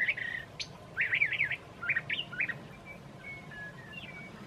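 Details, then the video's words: Curve-billed thrasher singing on a mild March evening in Santa Fe, New Mexico, perched among branches: a run of quick warbled and slurred phrases, mostly high, then a few thinner whistled notes trailing off, over a soft low background hum. "Curve-billed thrasher Evening Song (Spottdrossel)"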